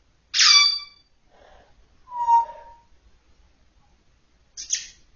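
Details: African grey parrot talking: a loud, harsh, harmonic squawk opens, followed by a soft murmur, a clear mid-pitched whistled note mixed with chatter, then a final high buzzy burst after a short pause.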